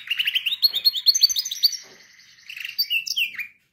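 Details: Canary song used for training canaries: rapid rolling trills around mid-high pitch, fast repeated notes running for nearly two seconds, a short pause, then a burst of varied chirps and a descending slurred note.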